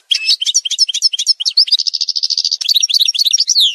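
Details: Continuous fast song of an Algerian goldfinch, parva type: choppy twittering phrases, then a steady buzzy trill of evenly repeated notes, ending in a tumble of liquid chirps; part of a tutoring montage.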